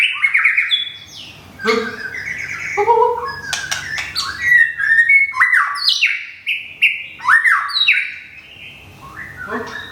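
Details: White-rumped shama kept in a cage in Thung Song, Thailand, moulting after a recent move. It sings a varied run of clear whistles, some low and mellow, others high and slurred, broken by crisp clicks.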